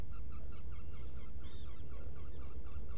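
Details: Recorded inside a Black Guillemot nesting burrow on Seal Island NWR, Maine, before dawn on 20 June 2018. Short, evenly spaced nasal notes, about three per second, with one higher sliding whistle in the middle, over constant deep background rumble.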